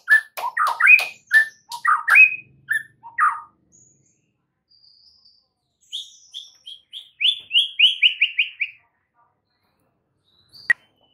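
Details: Murai batu (white-rumped shama) full fill-in song: jumbled quick whistles and clicks leaping up and down, a pause, then a fast run of bright whistled notes descending in pitch, ending with a single sharp click.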